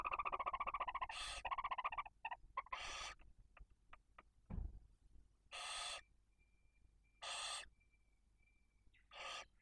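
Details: Barn owl at the nest in Cabañeros National Park during feeding of two chicks one and four days old. A rapid pulsing rasp, then clicks and a thud, several harsh hisses, and a thin steady high whistle between them.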